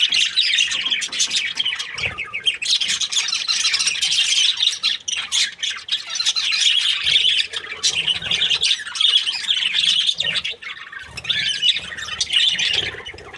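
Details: Happy budgies chirping: a dense, continuous stream of buzzy, scratchy chatter and short squawks from several birds, overlapping without pause for the whole stretch.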